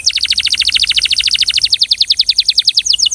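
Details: Belgian canary delivering a long, fast trill of short, bright, slightly downward notes, repeated roughly eight times per second with steady rhythm throughout.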